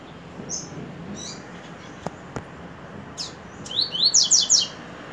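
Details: Mostly quiet background with a few faint clicks and scattered soft notes, then a coleiro bursts into a quick series of bright, rising buzzy sweeps in the final second and a half.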